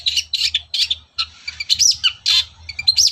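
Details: Long-tailed shrike morning song, a lure for other shrikes: rapid harsh chattering notes mixed with short rising whistles, over a pulsing low hum.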